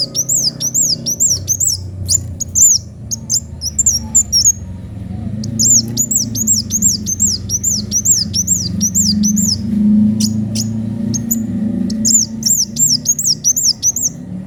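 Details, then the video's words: Kolibri wulung sunbird in full, sharp song: long bursts of rapid, very high, thin slurred whistles, each note rising then dropping, broken by short pauses and scattered clicks, over a steady low rumble. "Kolibri wulung gacor suara pedes"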